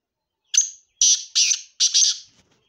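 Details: Black francolin calling in Sindh, Pakistan: four loud, scratchy, high-pitched rasping notes in a quick rhythmic phrase, the final note split in two, in an otherwise quiet setting.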